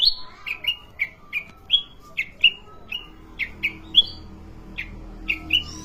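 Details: Sooty-headed bulbul singing in short, bright whistled chirps, single or paired, spaced roughly every half second with a few upward-flicking notes, over a soft steady background hum.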